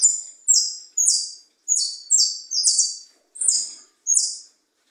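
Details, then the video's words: European goldfinch still singing, now serving as a tutor bird: rapid series of high, bright, slightly descending twittering notes, several close-spaced pairs, eight bursts in five seconds, otherwise quiet. "jilguero pipinas , todavia cantando ahora de maestro"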